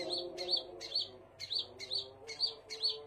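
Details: Scarlet minivet chirping, with seven quick high notes, each rising then falling with a buzzy edge, spaced evenly against a low humming background.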